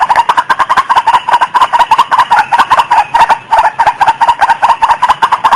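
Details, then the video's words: White-breasted waterhen female in breeding condition, about to mate, giving a steady fast series of harsh, throaty croaking notes, roughly two or three per second, continuous throughout. "Suara Burung Ayam Ayaman/Ruak Ruak Betina Lagi Birahi"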